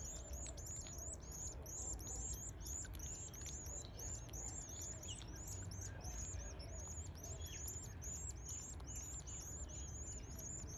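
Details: Eleven-day-old canary chicks begging during feeding, stretching up: a dense, unbroken stream of shrill, high, down-curving chirps, several each second, with a few lower clicks and a soft low rumble beneath.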